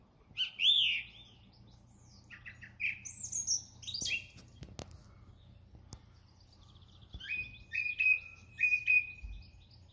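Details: A song thrush at Thoralby on 2 June 2020 sings varied phrases, running through its repertoire: a fluty opening, squeaky high notes, then a crisp note repeated several times quickly.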